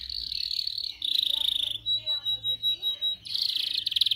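A canary sings a rolling song in high-pitched tours: a buzzy trill, then a clear whistled note pulsed about five times a second, then a fast rattling roll.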